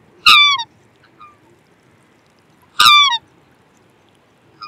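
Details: Black swan giving two loud, high, harmonic bugling notes that slide downward, about two and a half seconds apart, over a faint steady background hiss.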